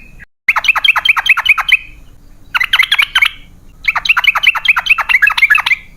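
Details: Yellow-vented bulbul, long rapid chattering song used to coax other birds to sing. Three bursts of fast, sharp downslurred chirps, each about one and a half seconds long, separated by short gaps.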